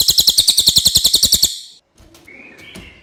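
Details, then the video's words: Common iora giving a clear song described as suitable for tutoring white-rumped shamas: a rapid, high, rattling trill of regular pulses for a second and a half, then a faint thin whistle and soft background noise. "suara cililin jernih"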